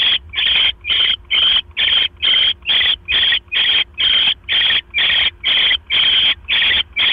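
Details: Mouse delivery at an owl nest, October 12, 2015, 9:40 PM: a long steady series of about fifteen short, harsh hissing bursts, roughly two per second, evenly spaced and rasping.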